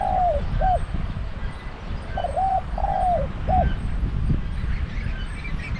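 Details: Spotted dove coo phrases from a caged decoy set to lure wild doves: soft hooting notes, a drawn-out falling croo, then a brief final note, repeated twice over a low constant rumble.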